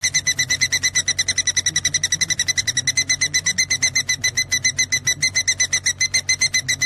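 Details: Lovebird giving a vigorous ngekek song, meant as tutoring material for other birds: a fast, steady run of sharp, ringing chattering notes, several per second, over a low indoor hum.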